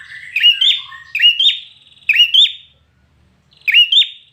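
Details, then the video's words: Competition song from a trained red-whiskered bulbul: four ringing double-note whistles, rising then falling, the first three close together, the last after a longer pause. "Chào Mào Hót Căng Lửa"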